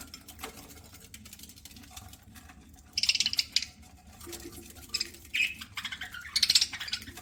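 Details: Budgerigar kept as a pet, chattering while it eats: three separated bursts of quick, harsh, high chirps between faint crackling pecks and rustles.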